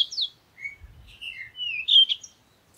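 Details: Parakeet producing a short warble: a high squeak, then a few smooth sliding whistles ending in a brighter twittering flourish, with a soft low thud early on.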